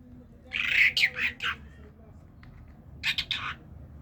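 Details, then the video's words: Talking common myna from Kerman giving two bursts of harsh, squawky notes, a cluster of four rough calls followed after a pause by three more, with a quiet low hum in the background. "طرقه سخنگو کرمانی"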